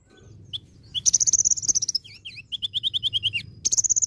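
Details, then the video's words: Olive-backed sunbird pouring out a varied, mimicking song: shrill buzzy trills, quick V-shaped dipping notes, then a rapid series of bright, evenly spaced chirps, ending in another high trill. "KONIN GACOR ISIAN VARIASI"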